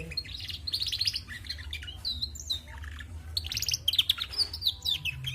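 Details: Female canary in full song, a busy stream of twittering trills, buzzy rattles and high whistled slurs with barely a pause, steady low hum in the background.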